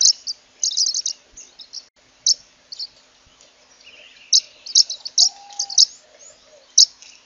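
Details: Zebra waxbill (Amandava subflava) producing scattered short, high chirps in small clusters, with a soft lower whistled tone briefly in the background.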